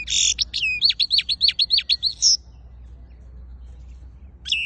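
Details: European goldfinch from Quetta, Afghanistan: a buzzy opening note then a quick string of about a dozen sharp descending chirps ending in a bright twitter, followed by silence and one last note.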